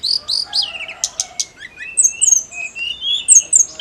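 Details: Energetic snowy-browed flycatcher song meant to stir other songbirds: descending chirps and sharp high ticks, followed by thin sliding whistles that rise and fall at two different pitches.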